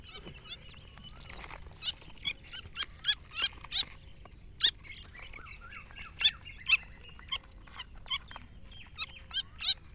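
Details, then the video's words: Partridges of the Irani type, with chicks mentioned, calling in a series of sharp, harsh chirps repeated irregularly, several per second at times, over a low background hum. "Irani dhkni gory tetar meeting"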